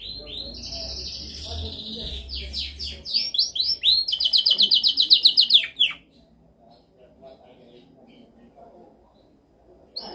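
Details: Dominant canary training song: rising and falling whistled phrases, a series of quick descending slurs, then a loud rapid rolling trill that stops abruptly, followed by near silence.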